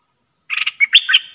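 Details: Caged Streak-eared bulbul kept as a new decoy bird, singing only song phrases on 6 May 2022. A brief, bright phrase of chattering notes ends in a fluty, rolling whistle. Nothing else can be heard.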